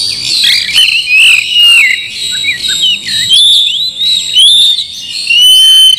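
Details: Slowed song of an Oriental magpie-robin, played to stir a silent bird into singing and fighting: loud rich whistles, rising and falling slurs, short chirps and downward sweeps in quick succession, with overlapping high phrases.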